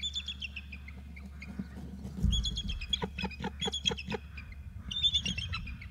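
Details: Two adult bald eagles calling, one thudding as it lands: bursts of high, falling chittering notes at the start and end, with loud knocking thumps in between, over a constant low rumble.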